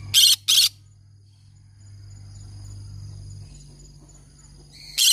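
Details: Pet green-cheeked conure: two sharp, rasping screeches in quick succession, then a long lull filled only by low humming before one more loud screech at the end.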